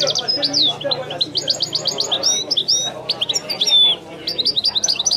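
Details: Continuous Wedani-style song of a European goldfinch: dense, varied high twittering with sliding whistled notes and short buzzy runs, nearly unbroken across the recording.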